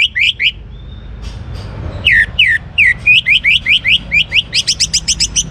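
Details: Young orange-headed thrush, a captive songbird from Singaraja, Bali, singing to stir other birds: a steady run of loud downslurred whistles about every quarter second, ending in faster high rising notes.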